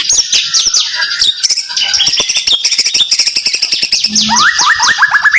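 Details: White-rumped shama (murai) rapid song bursts, 'tembakan rapat', for training: a fast ticking volley under high chips, closing with a run of quick repeated descending whistles.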